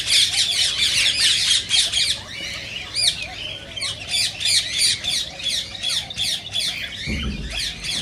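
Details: Rose-ringed parakeet vocalising to excite other parakeets into singing and mating: dense, piercing squawks repeated rapidly, almost four per second, keeping a steady harsh rhythm to the end.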